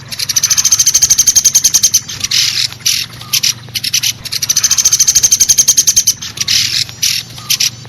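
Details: High, fast rattling of a common flameback, used as a lure for trapping woodpeckers; two long runs of quickly repeated sharp notes, each followed by a few short choppy bursts.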